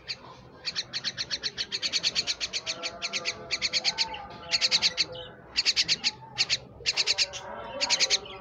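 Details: Pet myna delivering long chains of fast, sharp chirps, pulsing evenly for several seconds before breaking into shorter bursts, with faint low whistles and room noise behind.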